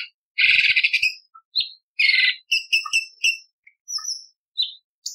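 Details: Training recording for contest birds of a cucak cungkok bulbul singing sharp, harsh 'isian tembakan' variations. Two thick grating buzzes alternate with fast chains of ticking notes, short slurred whistles and scattered high chips.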